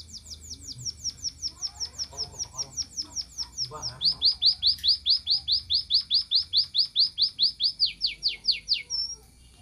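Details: Munia singing, a fast, very regular run of sharp downward-sweeping whistled notes, about two to three per second, first thin and high, then louder and lower from midway on; faint speech at the start.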